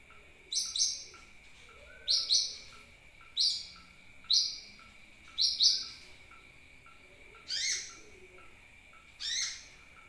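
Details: Sunbird chirps played as a bird lure: bright high notes, some paired, repeated irregularly, the last few more sweeping, over a thin constant background tone.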